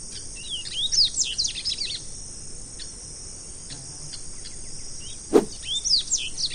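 Double-collared seedeater giving quick bursts of high, sliding chirps early and late, over a steady high insect drone and one sharp click.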